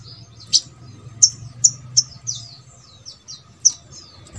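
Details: Sogok ontong sound used to encourage birds of its kind to sing: sparse, thin, very high downslurred chips spaced a half-second or more apart over a faint low hum.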